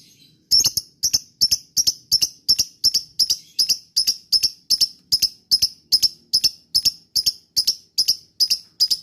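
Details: Lovebird lure call for provoking other lovebirds to respond: a long, even series of sharp, high chirps, some doubled, repeated roughly every half second.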